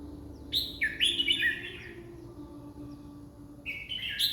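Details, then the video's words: Red-whiskered bulbul singing a bright, warbled phrase of quick slurred notes, then a short pause and the start of another phrase; a faint steady hum runs underneath. "ร้อง 20ดอก ใน1นาที #เสียงนกกรงหัวจุก"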